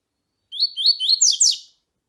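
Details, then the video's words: Double-collared seedeater in the tui tui song style, alongside female calls that excite the male: a fast series of rising whistled notes ending in two loud sharply falling notes. "CANTO DO COLEIRO TUI TUI COM FÊMEA CHAMANDO PARA ESQUENTAR COLEIRO TUI TUI"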